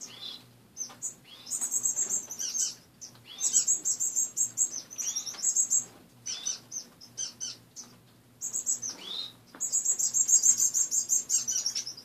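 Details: Several caged finches, seen one morning in a home cage with most perches and greenery removed, give high, bright chirps in bursts, with rapid runs of sharp repeated notes and brief quiet gaps between, over a faint low hum.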